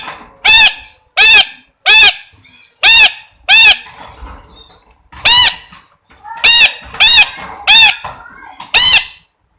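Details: A parrot squawking steadily: about a dozen loud, grating, arched calls in two bursts, with a quiet break near the middle and soft murmurs between calls.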